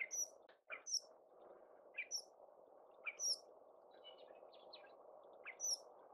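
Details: Northern Shrike singing in Adams County, Washington, USA: short, high whistled and scratchy notes spaced about a second apart over a low rumble.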